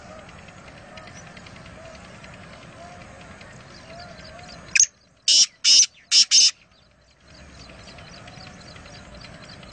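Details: Kaala teeter, the black francolin, at Nawabshah, Pakistan, giving a single rasping phrase of five loud, harsh notes in about two seconds, set against a steady low hum of distant rural background noise.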